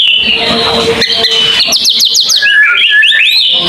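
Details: Brief white-rumped shama song in tembakan panjang style: a harsh rasping phrase, then a fast series of high repeated ticks, ending in looping whistled notes that rise and fall.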